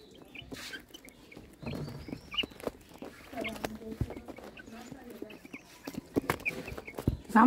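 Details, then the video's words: White yard hens give low, short clucks in loose, uneven bursts with a few sharper notes. Faint voices and yard noise mix in, and no clear full rooster crow is heard. "Rooster Crowing! Hens Clucking!"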